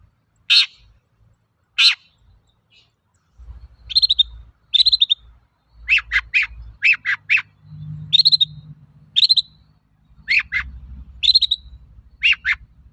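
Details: Long-tailed shrike in full song, meant as a lure to get other shrikes singing: two harsh rasps, then a busy run of short chattering and buzzy notes, some whistled, tumbling in quick bursts, over a soft low hum.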